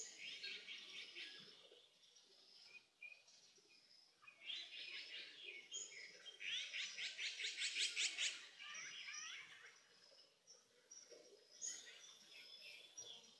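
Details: Azure-winged magpies raising young in Korea give bursts of rapid, buzzy, rasping notes, about two and a half per second. The notes build to a dense, grating chatter in the middle, with high chirps around it.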